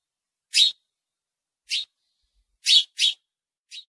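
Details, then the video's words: House sparrow giving five short, separate chirps over about four seconds, two close together near the middle, each bright and slightly harsh. The background is otherwise quiet. "تغريد طائر الدوري الكحالي"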